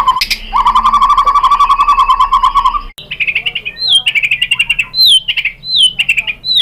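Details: Lure song of a white-rumped shama for provoking other birds into singing: a long buzzy trill held for about two seconds, then a series of bright, sharply downslurred whistles repeated about once a second.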